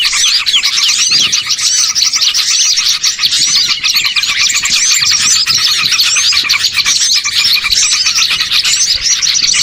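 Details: Small birds in a dense calling throng, used as a lure to attract birds for trapping: constant, busy high twittering and chipping, uniformly loud for nearly ten seconds.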